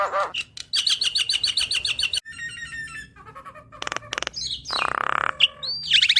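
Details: Javan myna song from a training recording for caged birds, full of varied material: harsh chattering bursts, rapid rattling series, buzzy stacked notes and short upslurred whistles, switching abruptly every second or so.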